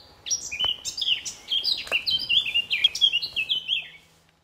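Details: Male Eurasian blackcap singing from trees near the car park and picnic area at RSPB Fowlmere, May 2014, holding a territory set up a couple of months earlier; a rapid four-second warbled phrase of varied chattering notes that runs into clearer, fluty notes.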